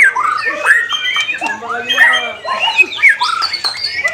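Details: A white-rumped shama sings short clear whistles, slurred up and down, broken by brief gaps and sharp clicks.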